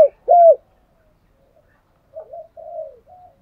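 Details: Spotted dove lure call, thúc gù and gáy gọi styles, male and female, used to stir up trained decoy birds: one strong low hooked coo, a pause, then three soft drawn-out cooing notes.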